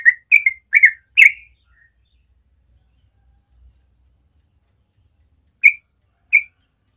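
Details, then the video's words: Yellow-vented bulbul, natural morning ropel song: four quick whistled notes up front, a long quiet gap with faint low background rumble, then two single whistles near the end. "Masteran Trucuk ropel suara alami pagi hari"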